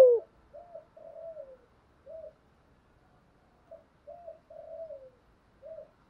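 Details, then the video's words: Spotted dove cooing in the thúc and gù style, quieter and more distant: a loud click at the start, then soft low coos in two similar phrases, each with a longer coo sliding down at its end. "chim cu gáy bài bản thúc với gù"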